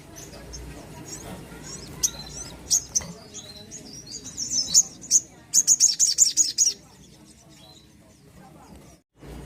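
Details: Energetic crimson sunbird song played to encourage young or reluctant birds to sing. Scattered thin, high chips build into a quick burst of rapid, piercing repeated notes, then quiet with faint background hiss.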